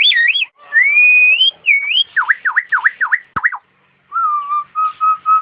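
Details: Nias hill myna song, offered as a training recording to make caged birds sing: loud clear whistles, a wavering phrase, a long rising glide, five quick falling-rising slurs, then steady level whistled notes with short gaps; no other sounds.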